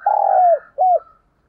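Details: Captive decoy spotted dove luring wild birds, giving a long, smooth, slightly falling low coo followed after a brief pause by one short curved coo.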